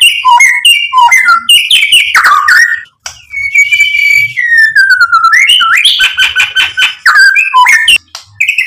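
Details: White-rumped shama, or murai batu, singing to provoke and excite other birds: a loud, varied run of rich whistles, sharp downslurred notes and buzzy trills, switching phrases quickly with brief pauses.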